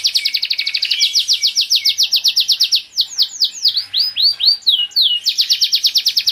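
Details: Pure-bred Spanish Giboso canary song in cages: fast repeated chip trill, a break of fuller downward-curving whistles, then the quick trill resumes.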